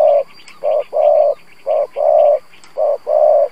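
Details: Lure spotted dove cooing in the 'gù' manner to draw wild doves: continuous low, mellow coos in short-long pairs, about one pair per second, with faint high bird chirps in the background.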